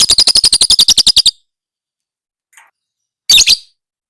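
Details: Lovebird sound used as masteran training material for lovebirds: a rapid even chatter of about thirteen sharp notes in just over a second, a faint tick, then one loud rasping double shriek.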